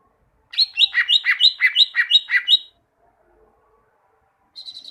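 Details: Greater green leafbird song used as masteran to train caged birds to sing often: a rapid run of about ten repeated chirpy, slurred notes lasting two seconds, a pause, then another short bright burst begins.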